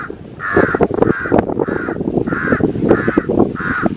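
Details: Crow repeating raspy caws roughly every half second, six in a row, against a continuous low-pitched background drone.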